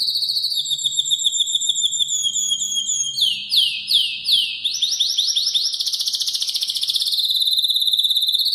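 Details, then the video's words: Spanish canary in intense song: a long sustained high trill, then a run of loud swooping downward notes, then a dense rolling trill that continues to the end. "Já ouviu o canto do canário Espanhol?? cantando muito forte, esse canta demais"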